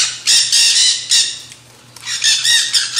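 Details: Nanday parakeets feeding in a frenzy on seed mix at a backyard feeder give harsh, grating screeches in rapid bursts, several overlapping in quick succession, over a faint steady hum.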